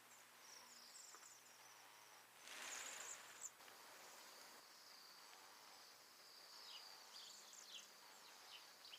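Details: A flock of about a hundred Bohemian Waxwings, down from the Arctic to Alberta, feeds on red mountain-ash berries by a porch. They give a steady chorus of very high, thin, overlapping trilled whistles, with a brief whoosh of rushing wings midway.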